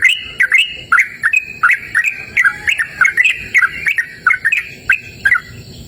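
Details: Sooty-headed bulbul singing energetically outdoors in a cool, open natural setting: rapid bubbly, fluty notes in short rising and falling phrases, repeated almost without pause.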